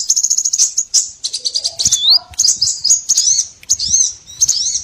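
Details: Small birds calling, used as a lure to trap all kinds of small birds; thin, high chirps and quick rising-falling whistled notes in rapid bursts, with one lower downward slur near the middle.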